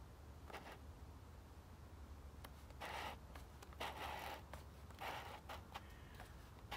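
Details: Hooded crow at Žale cemetery, Ljubljana, Slovenia, on 10 January 2024, gives harsh, rasping caws, four or five spaced over seven seconds, above a steady low rumble of distant traffic.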